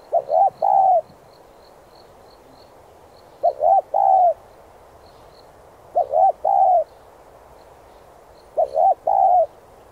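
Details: Spotted dove song used to train decoy birds, four repeated phrases roughly every two and a half seconds, each a short note, rising coo and long coo, with faint high chirping behind.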